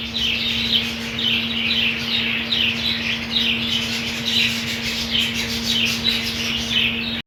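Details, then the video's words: A budgerigar colony with green food, a continuous stream of rapid, scratchy, high-pitched chirps and warbling calls overlapping one another, with a constant low electrical hum in the background. "Budgies colony"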